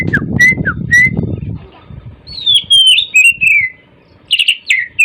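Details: Morning song of an Oriental magpie-robin: short upslurred whistles, then long descending whistled sweeps and brief warbled notes, with low rumbling noise early on.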